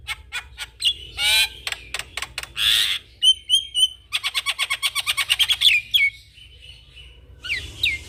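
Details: Lively Javan myna, head-bobbing, used as master song for young mynas: rapid clicks, harsh rasping bursts, a fast run of repeated chattering notes and clear upslurred whistles, over a low steady hum.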